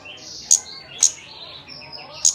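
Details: Malaysian pied fantail (kemade) in a lure recording used to prompt birds to sing: thin high whistled and buzzy notes punctuated by sharp, bright clicks roughly every half second to second.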